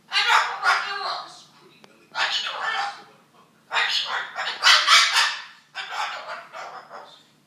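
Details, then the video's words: Mimicking a couple's argument, a cockatoo lets out clustered, gravelly voice-like outbursts in three or four groups separated by brief silences, sounding like angry overlapping talk. "Cockatoo Mimicking A Couple Arguing"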